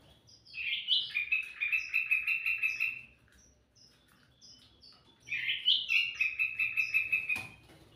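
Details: Sooty-headed bulbul singing vigorously for luring birds: a loud slurred opening breaking into a fast, evenly repeated stuttering trill, twice, with high chips in between.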